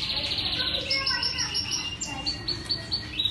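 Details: Canary song with shrill high rolling trills and repeated chirps over a noisy background with a murmuring low hum.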